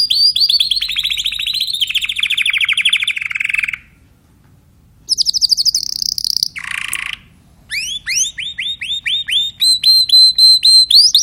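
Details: Song of a Timbrado canary: a rolling trill that gradually falls in pitch, a pause, a high fast buzzy trill and a lower harsh burst, then a series of rising swept notes.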